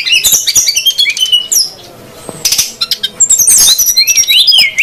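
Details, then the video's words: Male and female srdc birds calling noisily, used as a lure for wild birds; thin high chirps, rapid clicking bursts and rising whistled notes follow in quick succession, with a short quiet gap near two seconds. "suara pikat burung srdc betina & jantan ribut"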